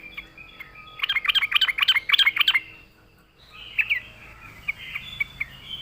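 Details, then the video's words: Yellow-vented bulbul singing to lure birds. A long, rapid run of bright chattering notes is followed by a pause, then softer scattered chirps and thin whistles over faint background noise. "suara burung trucuk gacor RAJA PIKAT pandai memancing bunyi trucukan bahan dan ombyokan"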